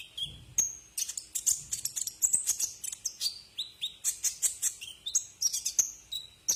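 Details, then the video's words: Tutor song of a brown-throated sunbird (kolibri ninja) meant for training caged birds: a fast, busy string of high sharp chirps and piercing whistled notes, brief pauses between bursts, quiet low rumble at the start. "masteran burung Kolibri"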